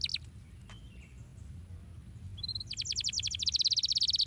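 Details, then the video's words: Canary song used to encourage other canaries to sing: after a quiet stretch with a few thin notes, a fast, loud, high buzzy trill builds and continues steadily to the end. "Como estimular rapidamente o som do canário para que você seja diligente no chilrear!"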